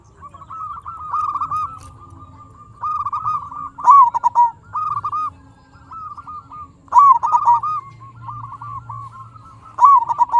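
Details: Singing local zebra dove used as a lure to stir other zebra doves: loud, clear cooing phrases of rapid staccato notes, louder bursts coming about every three seconds with softer coos in between.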